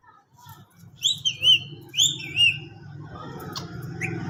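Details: Green parrot whistling four clear, slightly rising notes in two pairs, over a steady low hum, followed by softer scattered chirps.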